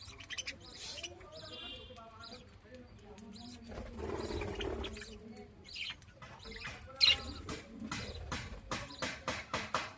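A budgerigar chatters in a steady run of soft warbles, chirps and clicks, a contented sound.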